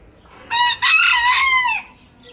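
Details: Rooster crowing: a single loud harsh crow opening with a short note, then a long strained drawn-out phrase that falls at the end, against a quiet background.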